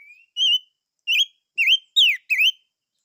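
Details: Chim ngũ sắc singing: a series of clear, loud whistled notes, each a short wavering or down-slurred phrase, separated by pauses of about half a second.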